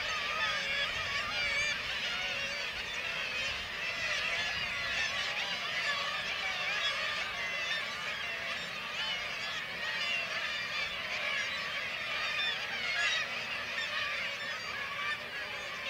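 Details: A breeding black-legged kittiwake colony with chicks at Varanger, Norway, where white-tailed eagles hunt the chicks, makes a dense din of many nasal, wailing calls overlapping without pause, high and harsh.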